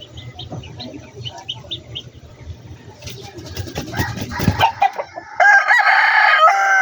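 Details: Chicken in a backyard poultry yard: soft short clucks and rustling, then a sudden loud, harsh, strongly harmonic squawking call filling the final seconds.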